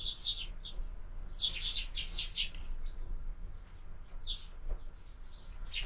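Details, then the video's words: Feeder sparrows on a window in the morning, giving quick clusters of sharp chirps early on, a quieter gap, then more scattered chirps, with soft low background noise. "Воробьи в кормушке - Утро"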